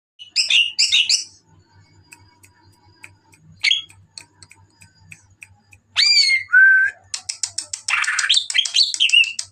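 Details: Greater green leafbird singing at night; bursts of loud, varied whistles and sweeping chirps separated by pauses, ending in a rapid run of sharp ticking notes, with a faint low pulsing hum behind.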